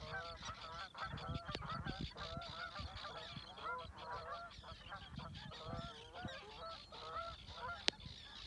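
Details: Canada geese calling in flight over the water at Reveln, Stornäset, Alnö, Sweden, on 7 August 2022 as they head south to migrate. Continuous chorus of repeated honks from many birds, with a sharp click near the end.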